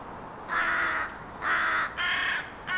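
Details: Hooded Crow calling outdoors: four harsh, drawn-out caws of about half a second each, spaced roughly half a second apart, the later ones slightly higher and shorter, over a steady background hiss.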